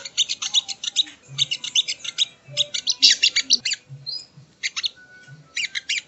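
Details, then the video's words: Training audio of sogo ontong: clustered high twittering phrases broken by short gaps, with a thin rising whistle in the middle and faint low thuds beneath. "Masteran Burung Sogon ( Sogo Ontong )"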